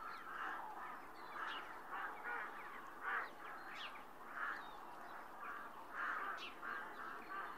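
Rooks give harsh, hoarse caws, repeated roughly every half second to a second and overlapping, as though several birds are calling together.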